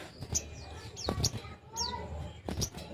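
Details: Long-tailed shrike (sogon) song used to stimulate other shrikes to sing: harsh mixed notes with sharp downslurred whistles and short chattering bursts, varied and irregular over three seconds.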